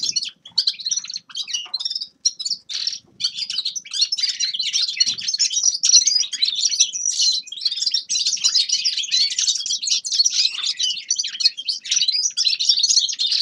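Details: Grey-crowned goldfinch in sustained song, a long, almost unbroken stream of high twittering, chirps and rattling trills that grows denser and more continuous after the first few seconds.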